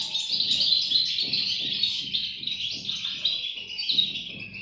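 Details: High, overlapping chirps from goldfinch chicks run without pause, over low rhythmic pulses repeating about every half second.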